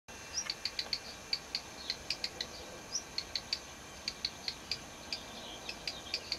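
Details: A black redstart (Phoenicurus ochruros), recorded in 2004, gives dry, sharp ticking notes, three or four a second at an uneven pace, with a couple of thin rising whistles, over a soft steady hiss.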